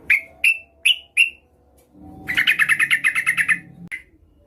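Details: Trucukan (yellow-vented bulbul) hen calling a male: four spaced, clear chirps, then a fast rattling run of about a dozen notes and one closing chirp.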